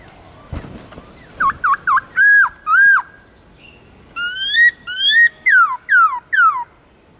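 A laughingthrush sings loud, rich whistles: quick dipping notes, two long arched whistles, then a run of falling slurred notes, about two per second, over faint hiss.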